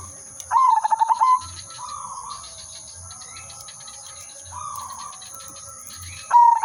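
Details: Zebra dove of the silver udanmas type, singing actively as a lure for trapping: a rapid, evenly pulsed cooing burst lasting about a second, returning near the end, with softer drawn-out coos between, a steady high electronic whine and low rhythmic thumps.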